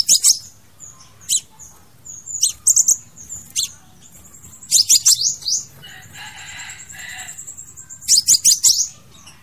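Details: Crimson sunbird song for attracting or trapping birds: scattered sharp high chips and short fast trills, a thin drawn-out high whistle in the middle, and a softer lower buzzy phrase partway through.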